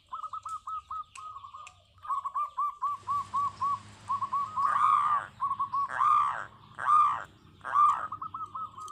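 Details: Local zebra dove (perkutut lokal) in full song: series of short cooing notes near the same pitch, some clipped and quick, others longer and swelling into loud rolling coos toward the end, with a low hum underneath.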